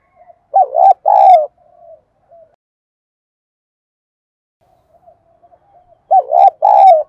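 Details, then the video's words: Decoy spotted dove in the đồng gù style, calling to lure wild doves: loud, throaty two-part coos with a hoarse, rolling quality, a faint trailing note, then a long pause before the phrase repeats. "Cu gáy mồi ĐỒNG GÙ ĐẤU THÚC GỌI bổi nhanh nổi"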